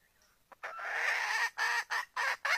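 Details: Red junglefowl hen calling a male to mate: a long drawn-out harsh squawk, then four shorter hoarse notes in quick succession.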